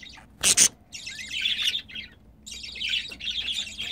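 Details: Pet budgerigars mating: a loud broadband click, then a continuous scratchy, buzzy warble with quick rising and falling chirps, pausing briefly midway.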